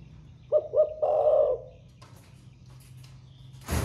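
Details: Single thổ pha style phrase from a caged spotted dove that has newly begun singing: two short low hoots, then a rolling, drawn-out coo. A rustle or wing flap is heard at the end.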